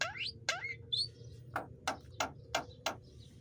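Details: Javan myna singing: two rising whistled swoops and a high squeak open, then a steady series of short harsh clicking notes, about three per second.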